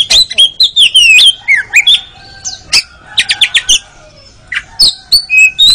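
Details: Oriental magpie-robin performing contest-training song: fast varied whistles rising and falling, quick buzzy chattering bursts of about four notes per second, then short clear whistled phrases.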